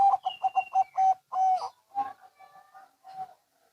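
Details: Zebra dove, local or Bangkok type, in a back-and-forth exchange: a row of short mellow coos followed by two longer drawn notes, then softer, fading stuttered coos.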